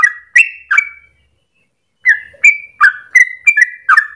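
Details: Sooty-headed Bulbul singing a long rapid song used to lure and train songbirds: three quick gurgling whistles, a silent second, then a fresh burst of bubbly, falling whistled notes in quick succession.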